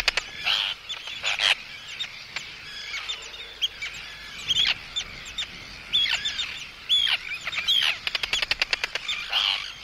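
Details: Arctic terns, close up, threatening an intruder with anxious calls while chicks call: harsh ragged cries and rising-falling whistles come in irregular bursts, ending in a rapid stuttering run of short sharp notes.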